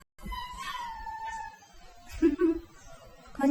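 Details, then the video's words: A pet Indian ringneck parakeet, coaxed by its owner to scream, gives one long, drawn-out, slightly falling wailing cry, followed by a person speaking to it. "Chilana😅 to koi isse sikho....indian ringneck"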